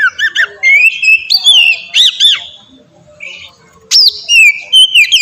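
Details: Oriental magpie-robin singing ngeplong for bird training: rising whistles and arched chirps in quick succession, a quiet gap of about a second, then clear descending and rising whistled phrases.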